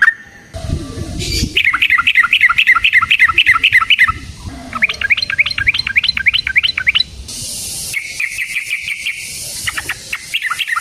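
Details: Yellow-vented bulbul fighting song for luring and training birds: fast bursts of rising, whistled chattering notes in long rolls, broken by short pauses and a burst of hissing noise.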